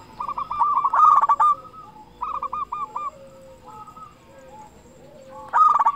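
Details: Big-voiced local zebra dove song meant to stir other zebra doves into singing: repeated phrases of quick, trilling coo notes, loud at the start and end, with softer cooing phrases between and overlapping.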